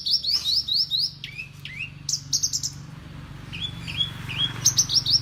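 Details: Champion-tuned Horsfield's bush lark, a mimic of prenjak, ciblek and sparrows, gives a burst of rising chirps, scattered sharp notes, then softer lower whistles before a final high flurry.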